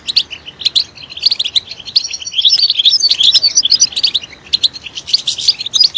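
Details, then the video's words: Song of a European goldfinch: bright twittered phrases of fast, sharp notes, with brief pauses in between and a busier, more jumbled stretch in the middle. "Stimulating a goldfinch clip to make it chirp in a loud and wonderful voice"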